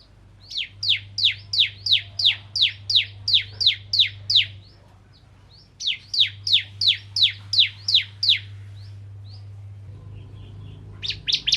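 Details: Bar-winged prinia known as ciblek kristal, used to prompt other prinias to sing: two runs of sharp, high, descending chip notes, roughly three a second, separated by quiet gaps, with a low steady hum beneath.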